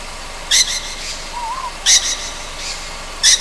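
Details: At night on Amami Oshima, a young Ryukyu scops owl makes loud harsh hissing rasps about every 1.4 seconds, with one soft wavering whistle in between.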